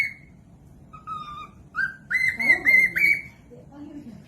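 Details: Cockatiel whistle used to coax lazy birds into singing: a few scattered thin notes, then a louder run of clear, level whistles with a soft low murmur underneath.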